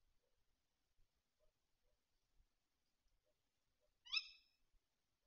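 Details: Tawny owl at a feeder in the Bieszczady mountains, 7 September 2023: one brief, harsh, harmonic squeal near the end after several quiet seconds with faint soft ticks.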